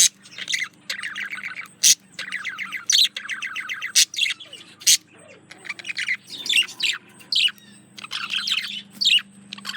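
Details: A courting male budgerigar sings to a female in rapid rhythmic trills of repeated ticking notes, punctuated by sharp loud clicks roughly every second, then shifts into squeaky chattering bursts, over a soft steady hum.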